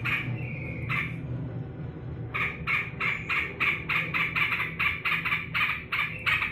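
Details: Sooty-headed bulbul kept in a cage, happily greeting the person who cares for it on return from work: two drawn-out notes, a gap, then a long steady run of fast, scratchy chattering bursts.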